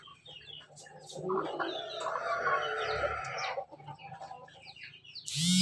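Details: Crossbred pelung × bangkok chicken, farmed in Jogja, Indonesia, gives one long harmonic crow lasting about two seconds, steady and then fading. Thin high chick-like chirps sound over it, and a loud burst of noise comes at the end.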